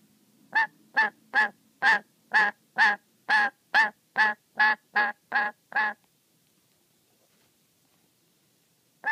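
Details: Pet black-capped lory, angry and very wary, calling while watched playing with its favourite sock: thirteen harsh, nasal squawks about two per second, then six seconds of quiet before one more squawk begins.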